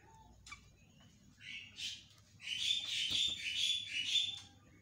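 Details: Yellow-vented bulbul in a live morning recording meant as a lure call: bubbly, chattering bursts of bright notes build into a fast rolling phrase after a few brief chirps, over faint background hum.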